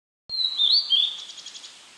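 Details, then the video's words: A blue-and-white flycatcher, filmed at close range, sings softly while holding food in its bill: a short, clear, high whistled phrase that slurs up and down, ending in a quick trill of fast repeated notes. "オオルリ / Blue-and-White Flycatcher"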